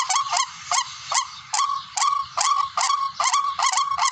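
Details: Barred rail call for bird hunting: clear, separate harsh honking notes, each brief and nasal, repeated steadily at about two per second.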